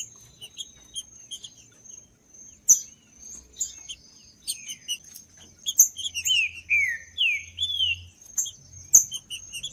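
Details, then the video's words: Green-winged saltator, judas-style song meant to warm up a cold bird: sparse sharp chips, then a run of loud downslurred whistled notes midway, all over a constant thin high tone. "ESQUENTAR TRINCA FERRO FRIO 2024 | TRINCA FERRO CANTANDO TRINCA FERRO JUDAS"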